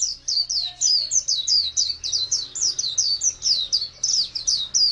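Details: Ngalas-type Oriental white-eye song: quick, piercing, slurred high chirps in a steady flowing chatter, set against a faint low hum.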